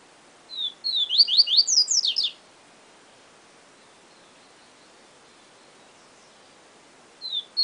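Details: Yellow-bellied seedeater singing the 'siu siu professor' song style: a high whistled note, then a rapid run of slurred, sweeping notes lasting about two seconds, followed by a long quiet gap before another phrase begins at the end.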